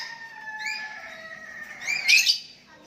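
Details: Sooty-headed bulbul calling a rival, other bulbuls answering; a steady whistled tone overlaid by higher slurred notes, ending in a bright rising squeaky burst.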